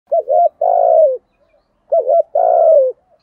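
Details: Spotted dove kept as a lure bird, with a local-style 'giọng thổ' cooing voice: two phrases, each a short double coo followed by a longer, steady, slightly falling coo, repeated about every two seconds.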